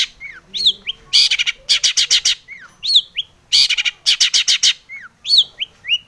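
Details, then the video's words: Long-tailed shrike in lively full song, used as a lure to provoke other shrikes to sing: clear down-slurred whistles alternating with harsh, buzzy rattling bursts, repeated in two similar phrases. "SUARA cendet gacor ARECARE pancingan cendet agar bunyi EMOSI"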